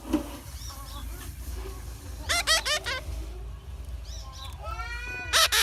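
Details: Young hand-raised parrot calling while hungry: scattered soft squeaks, then a run of four harsh, rasping begging notes, later a long falling whine and a final loud burst, over a constant low hum.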